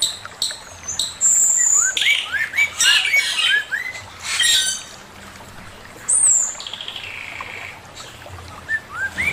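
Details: Male Chinese hwamei, caged, singing a master song: a series of rising slurred whistles, repeated sweet phrases, sharp high whistles and a long high descending note, with varied loud bursts between quieter gaps.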